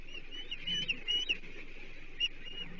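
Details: Osprey at its Chesapeake nest on 14 July 2023 with a blueback herring; a few short, high, slurred chirps in quick succession over a low steady hum.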